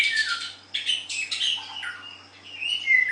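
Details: White-rumped shama singing in a song-strength contest: short bright bursts of high twittering and slurred notes, broken by a brief pause, then a falling whistled phrase, with a faint steady hum beneath.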